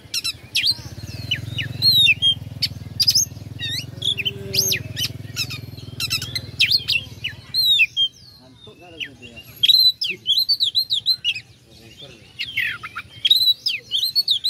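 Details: Oriental magpie-robin song used to provoke rival birds: rapid high chirps and whistles, with a low rumbling background in the first half, then clearer bursts of looping whistled notes.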